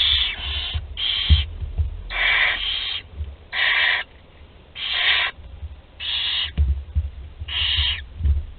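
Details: Barn owl chicks at a nest in Théding, France, one 13 days old and able to swallow prey whole, 20 July 2020: harsh broadband hissing screeches in six bursts of about half a second each, over low thumping rumble.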